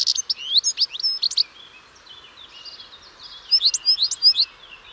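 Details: European goldfinch giving lively, high twittering with slurred and trilled notes, a quieter run of softer chatter in the middle, then a loud final flourish of chirps.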